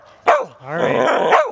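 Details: Trumpeter swans migrating south, a couple hundred on a calm lake: one gives a brief sharp note, then a longer nasal, horn-like honk rich in overtones that dips slightly in pitch at its end.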